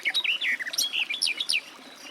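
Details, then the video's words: A short, fast warbling phrase from a garden warbler, with mellow, slurred notes tumbling quickly one after another. "Warbler garden, birdsong"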